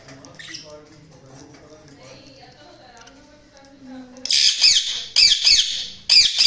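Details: Budgies chirping: soft low voices give way to loud, shrill, scratchy chirp bursts in three rapid clusters, each roughly a second long, high-pitched and harsh.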